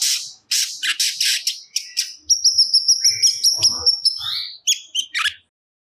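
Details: Cucak cungkok singing its repertoire as training audio: harsh rasping bursts at first, then a run of evenly spaced high whistled notes, closing with short rising chirps.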